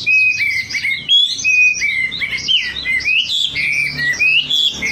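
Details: Wambi lure recording: clear, level whistled notes alternating with rising and falling slurs and scattered high twitters, sung steadily throughout.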